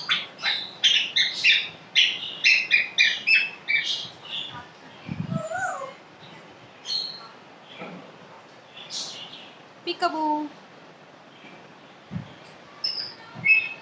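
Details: Pet African grey parrot, known for talking, starts with a fast run of harsh repeated squawks, then scattered whistles, gliding tones and short voice-like sounds with quiet gaps.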